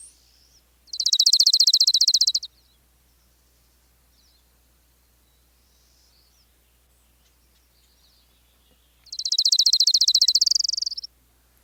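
Orange-crowned Warbler song: a high, rapid, even trill lasting about a second and a half, given twice about eight seconds apart, with a faint low hum between.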